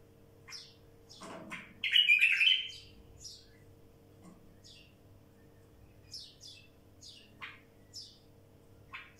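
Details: A wild bulbul sings a loud, rich warbled phrase near the start, followed by a scatter of brief high chirps and ticks with gaps between.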